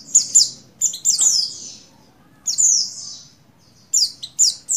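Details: Female Oriental white-eye (buxtoni) in breeding condition calling to a male: very high, thin chirps in quick bursts of two or three notes, separated by brief pauses, over a faint low hum.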